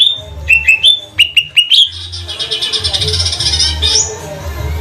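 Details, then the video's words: Green leafbird of the trotol type from Banyuwangi, kept as a lure bird. Short whistled notes open the passage, then a dense buzzy pulsing trill carries on over a low hum. "Pancingan burung CUCAK IJO TROTOL GACOR agar jamtrok"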